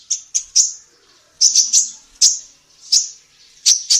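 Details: Female kolibri ninja sunbird on a songbird training recording: clusters of two or three quick, piercing high chirps separated by half-second pauses.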